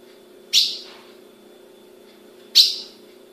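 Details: Caged female ultramarine grosbeak in Brazil calling: two crisp, high chirps about two seconds apart, each dying away fast, against a faint steady low hum.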